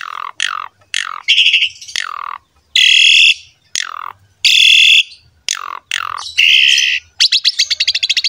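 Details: Asian pied starling in energetic 'gacor mompa' song played to get young starlings singing: loud harsh buzzy blocks alternate with sharp downslurred squawks, closing in a rapid rattling trill.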